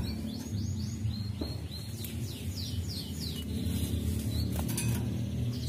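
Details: Sunbird 'isian' song played to stimulate birds to sing: a run of high, swiftly falling swept whistles, each repeated several times in a brisk sequence, over a constant low hum and faint clicks.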